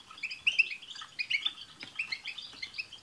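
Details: European goldfinches in a group chorus meant to get a caged goldfinch singing: rapid, high twittering phrases with sharp tinkling notes and short buzzy trills overlapping throughout.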